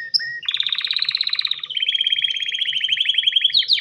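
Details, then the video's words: Male canary ready for breeding, singing to attract a female: two short whistles lead into a long, rapid, buzzy pulsed trill that drops slightly in pitch midway and ends with a rising whistled flourish. "تغريد كناري ومناداة للتزواج"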